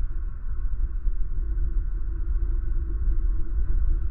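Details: Low droning rumble with a steady electrical-sounding hum is all that can be heard.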